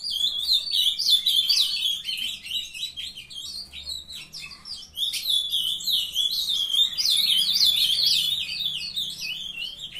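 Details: Several captive young Ultramarine grosbeaks from a breeder, recorded 23 June, singing together: dense, overlapping warbled and chirped phrases that rise and fall in quick succession, with almost no pause between them.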